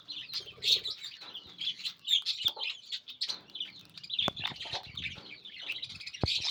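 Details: Sun conure parrot calling: a busy run of bright, harsh chirps and squawks packed densely through the clip, with a few sharp clicks and knocks in the background.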